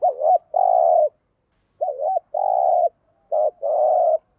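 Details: Spotted dove lure cooing in the 'thúc gù' style used to provoke wild doves: three paired phrases, each a quick wavering double note then a long level hollow coo, separated by short silences.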